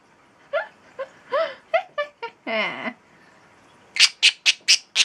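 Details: A pet talking bird repeatedly shrieks "Pikachu" and does its evil laugh: harmonic, voice-like shrieks and mimicked syllables, then a run of six sharp, high screeches about every quarter second.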